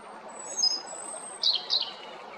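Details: European robin at Jarun, Zagreb, Croatia, on 13 April 2022. A long, thin, very high sustained whistle is followed by two quick bursts of sharp, tinkling high notes. Faint ambient hum sits underneath.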